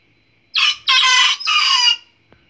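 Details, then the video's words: A Polish (Batik) rooster gives one loud, hoarse crow in three parts, a short opening note then two long, rough notes, about a second and a half. Finding: Chicken. "Ayam poland Batik berkokoknya nyaring"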